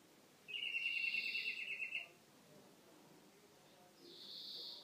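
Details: European greenfinch song: a fast trilled note held for about one and a half seconds, then, after a pause, a drawn-out buzzy wheeze, over a faint background hiss.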